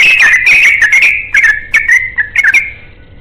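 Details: A yellow-vented bulbul pours out a rapid ropel song, calling for a companion. Quick bubbly whistled phrases tumble together, then break into short separate bursts that fade toward the end.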